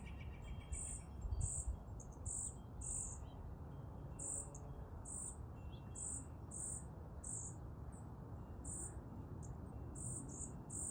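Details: Baby bird calling hungrily, a series of sharp, very high-pitched squeaky notes arriving irregularly, sometimes paired, about once or twice a second, set against constant low-frequency background hum.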